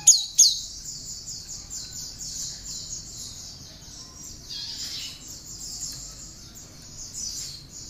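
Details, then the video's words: Cinereous tit singing bar-winged prinia notes as songbird training material: two sharp loud high notes at the start, followed by a long stretch of quick, buzzy, high repeated chattering notes. "Kicau Burung gelatik batu (Wingko) isian ciblek"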